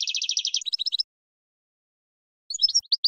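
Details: European goldfinch spring song for cage bird training: a quick buzzy trill flowing into high twittering notes, a silent gap, then a few scattered sharp chirps. Clean, with no other sounds.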